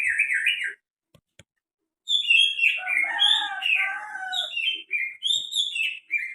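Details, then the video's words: Greater green leafbird producing strange calls: a wavering chirp, a gap with faint clicks, then a long, dense cascade of sharp, falling, chattering notes mixed with lower slurred whistles. "SUARA ANEH BURUNG CUCAK HIJAU"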